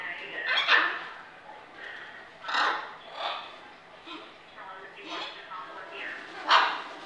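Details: Hyacinth macaw playing with other birds on an indoor kitchen play area. It gives about six harsh, raspy squawks at irregular intervals, with softer chattering between them.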